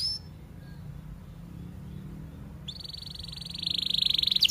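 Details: Canary song for training young canaries and reviving stalled singers: mostly quiet at first, then a thin sustained high tone builds into a fast, loud rolling trill toward the end.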